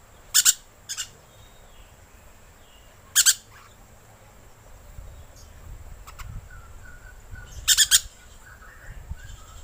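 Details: Harsh, raspy rainbow lorikeet screeches used as a lure call, some doubled, arriving in irregular bursts with longer gaps, plus a few faint softer chirps and low background rumble.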